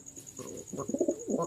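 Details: Pure Jalali pigeon, one of a pair kept indoors for sale, giving short low cooing notes in several soft bursts, with a faint steady high hum in the room.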